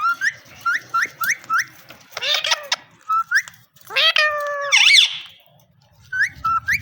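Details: Indian ringneck parrot, a male having fun indoors, repeats sharp rising chirps at a steady pace, broken by two buzzy, harmonic squawk bursts and a harsh screech, with quiet gaps between.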